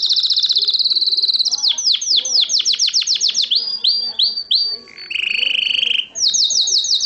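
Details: Canary in a cage, Morocco, recorded 2012, pouring out song: a steady high trill breaks into a series of steep downward sweeps, then a lower buzzing roll before bright rapid notes resume.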